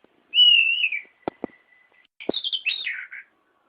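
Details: White-rumped shama singing for a training track: a sustained level whistle, a few sharp clicks, then a bright descending warbled phrase; quiet background.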